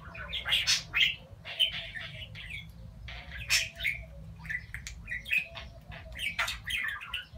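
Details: Domestic talking budgerigar said to declare its love; dense, scratchy warbling chatter in rapid bursts with a few harsh squawks, rising and falling in loudness, low hum behind.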